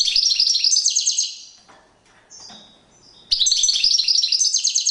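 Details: European goldfinch singing during a courtship display: dense, fast, high twittering with tinkling and buzzy notes, in two long bursts separated by a quieter pause of about two seconds with faint softer notes.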